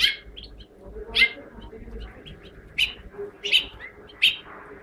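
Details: House finch giving a series of sharp high chirps and short warbled notes at irregular intervals, with a low hum beneath.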